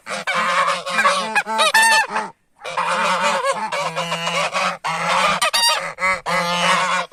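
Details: Approached by humans, geese give loud, harsh honks in overlapping bouts, several birds calling at once, with a short silent break after about two seconds.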